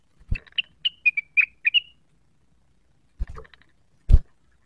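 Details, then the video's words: Cucak wilis, roused by a provoking sound as it seeks a rival, sings a quick series of clear whistled chirps, followed by silence and a few dull thuds. "Rengganis gacor neritik mencari lawan, pancingan cucak wilis cepat emosi terpancing bunyi"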